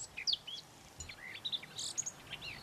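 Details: In Lago di Pergusa Special Nature Reserve, Enna, Sicily, a Eurasian blackcap sings a quick, varied warble of high chirps and brief whistled phrases in a steady stream over faint background hiss.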